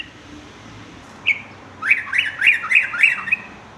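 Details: Sooty-headed bulbul song used for training young males to sing with variety: a single short note, then five rapid, arching whistled phrases ending in a brief chip.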